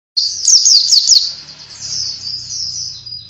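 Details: Oriental white-eye (pleci) song used as a lure for other birds: a rapid burst of high, thin twittering notes in the first second, then a softer continuous warbling trill that fades slightly toward the end.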